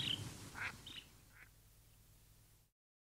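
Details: Lesser Yellowlegs giving close contact calls, four or five short, sharp notes in the first second and a half that fade quickly, with other birds at middle distance and a slightly windy low rumble, at Lago Pozuelos.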